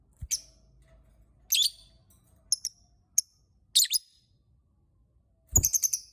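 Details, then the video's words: Lovebird chirping to provoke other lovebirds into singing, a mix of shrill harsh bursts and short sharp ticks, with a dull knock near the start and a thump beneath a rapid chattering run at the end. "Burung Lovebird Berkicau Pancing lovebird lain"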